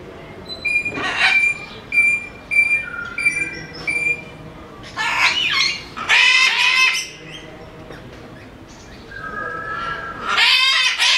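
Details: Captive sulphur-crested cockatoo at Belgrade Zoo, Serbia, 2021: a run of short, nasal, harmonic squawks gives way to long, grating, rasping screeches, then a quiet gap and a final harsh outburst.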